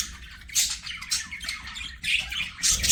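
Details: Budgies singing and playing, short bursts of scratchy squawks and chirps with brief quieter gaps between them.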